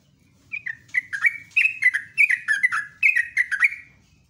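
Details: Sooty-headed bulbul (trucuk), a caged songbird, singing a continuous ropelan run of bright whistled notes that slur downward, about three notes per second, steady and loud.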